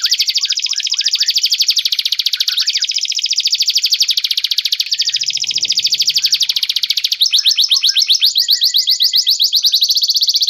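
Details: Atlantic canary song played as a training recording for white-rumped shamas, meant to lengthen their song phrases; clear, nonstop high trills of rapid repeated notes, shifting after about seven seconds into faster, choppier rolling phrases, with no other sounds.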